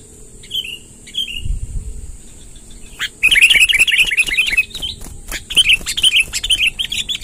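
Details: Sooty-headed bulbul long rolling song, played to attract wild bulbuls: two faint downslurred notes, a pause, then a dense loud chattering stream of quick warbled notes with sharp clicks, over a constant high-pitched whine.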